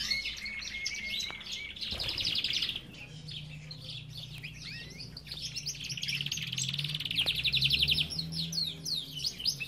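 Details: Belgian canaries in a breeder's aviary chatter together in quick, high, twittering trills and chirps, with a steady low hum underneath.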